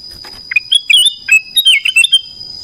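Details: Black-crested bulbul singing in the morning: short, bright warbling phrases that rise and fall in quick bursts over a steady high insect whine.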